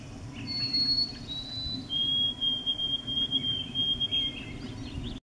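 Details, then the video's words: A White-throated Sparrow sings pure, thin whistles that step down in pitch, ending in a long held note, over a soft low rumble. "Singing White-throated Sparrow"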